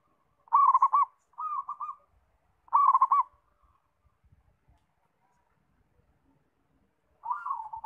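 A zebra dove gives soft, rolling trilled coos in short bursts, three close together and then another after a pause, over a quiet background.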